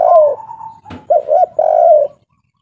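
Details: Derkuku, the local spotted dove of Indonesia, kuk 3 style: a long sliding coo fading away, a brief knock, then a double hoot and a long, full, slightly falling coo, deep and mellow.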